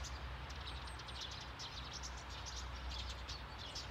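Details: A group of Eurasian tree sparrows calling from a bush on a Sundsvall nursing home lawn, Sweden, 9 November 2021; rapid, overlapping high chirps with a couple of thin higher notes, over distant traffic noise.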